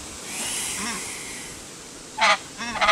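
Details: Emperor goose calls: after a quiet stretch of low background rumble, two loud, rough, nasal honks follow in quick succession, the second stuttering and broken.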